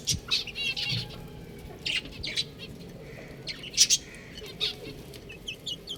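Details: Chicks chirping: short high peeps in uneven clusters, a loud pair of notes midway, then faint downward peeps, with low background hum and occasional knocks.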